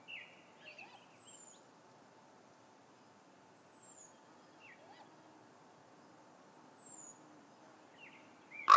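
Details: Great grey owl (Strix nebulosa) at a nest, 31 May 2017 around 1:20pm MDT, as the female returns amid odd noises and passing crows: faint, thin, downward-sliding high whistles, three spaced seconds apart, soft scratchy chatter, a sharp knock.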